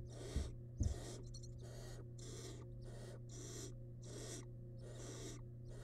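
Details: Wild barn owl nestling in a nest box devouring the remains of a large rabbit, giving rasping hiss-snores in a steady series of about seven bursts, with knocks near the start and a low hum underneath.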